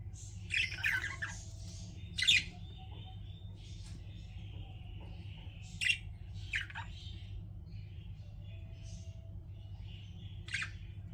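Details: Pet budgies chirping indoors: a few scattered sharp, bright chirps and short trills at irregular moments over a steady low hum.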